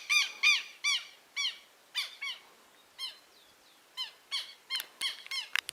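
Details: Southern lapwing chicks, newly hatched and already noisy, give a run of short harmonic peeps that arch up and down in pitch, about two per second, coming faster and sharper near the end, over a quiet background.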